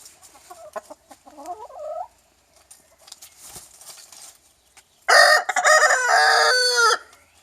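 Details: Young rooster giving a loud, harsh crow lasting about two seconds, preceded by soft rising clucks and quieter calls.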